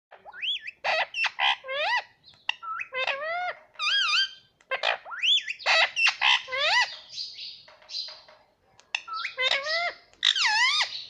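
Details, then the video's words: Pet green parrot, described as a baby, giving a run of loud, squawky, upslurred and wavering harmonic calls in quick bursts, with short pauses between groups. "Baby Parrot Voice _ 🦜☺️🥰 _ Parrot voice _ parrot sound"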